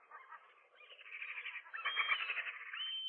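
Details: Gulls at a rooftop nest in early April, a new pair driving off a single intruding gull, possibly a female, in the morning; dense overlapping harsh, nasal calls building in loudness, with a rising thin whine near the end.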